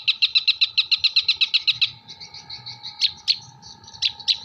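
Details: Long-tailed shrike from Jember performing kuntilanak, gereja and tengkek buto mimicry: a rapid, even series of about fifteen piping high notes, then softer warbling and a few separate loud chirps, a low hum continuing underneath.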